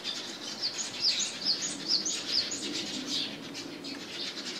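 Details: A Japanese tit (Parus minor) at home on 29 January 2023 gives a quick run of thin, high, sharp notes about twice a second, over a steady hiss; the background sound was replaced with separately recorded home ambience.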